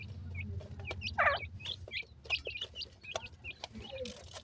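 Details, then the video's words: Baby black francolins (dakhni teetar) being playful: clear hooked peeps spaced irregularly, several per second, over a low hum, with one louder rasping note early on. "baby dakhni teetar,baby ki boli"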